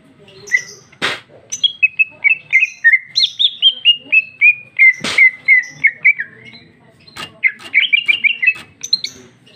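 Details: Female greater green leafbird in ngeplong song with a luxurious fill, 2021; long rapid series of sweet slurred whistles, interrupted by loud clicks, then a busy high warbled burst.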